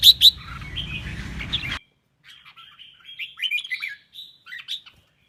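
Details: Red-whiskered bulbul duet meant to stimulate birds to sing and compete: two loud sharp notes and warbling over hum, then a quieter run of soft whistled chirps and trills.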